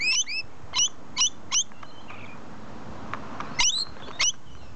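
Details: Rainbow lorikeets in a tree give quick, sharp, high chirps, several in a fast run at first, then a pause before a final pair of shrill notes, with a soft whistle and faint background hiss.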